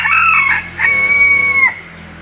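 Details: Bantam cockerel giving a full crow, a harsh stuttering opening and a sustained, steady high note ending in a quick drop, over a steady low hum.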